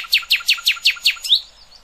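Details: Song of a nightingale for goldfinch and hybrid youngsters to learn: six loud, identical, downward-sweeping notes repeated rhythmically about five per second, closed by a rising whistled flourish and faint twittering.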